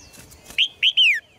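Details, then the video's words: A caged red-whiskered bulbul gives a loud phrase used to spur males into forceful singing: two rising whistled notes, then a longer slurred whistle sliding downward, after faint rustling. "นกหัวจุก birds - เสียงนกร้องในกรง กระตุ้นนกตัวผู้ให้ร้องอย่างแรง"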